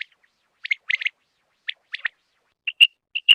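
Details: Rain quail in July gives sharp, high, metallic double notes in quick pairs, about twice a second, the last notes ringing clearer and louder.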